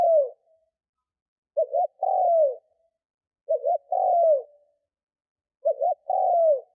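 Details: Lure spotted dove calling to draw in wild doves. The end of one coo is followed by three full phrases of two brief hoots and a long downward-sliding coo, evenly spaced, with no other sounds.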